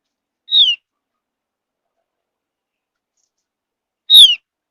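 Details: Javan grey-throated white-eye, a bird of high mountain forest whose whistling is said to draw other birds into singing: two brief, sharp notes sweeping downward, about three and a half seconds apart, with silence between.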